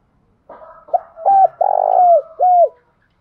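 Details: Trained decoy spotted dove cooing with force: soft introductory notes, then a short coo, a long vibrating trilled coo that falls away, and a final drooping coo.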